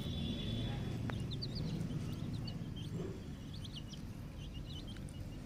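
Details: Ten-day-old naked neck chicks on a poultry farm, giving faint, high, rapid chirped peeps with short rising-falling notes, partly masked by a loud, steady low hum and a brief tonal whine near the start.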